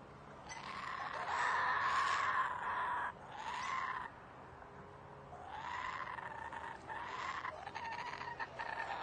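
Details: A laughing kookaburra in a back yard in Melbourne, Australia gives two loud bouts of rollicking laughter: harsh chuckling notes rise into a raucous cackle and then fall away, with a brief pause between bouts.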